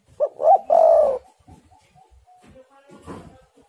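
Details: Spotted dove song used as a lure for other doves. Two short hoots lead into a long falling coo, followed by quiet with faint soft notes and a brief rustle.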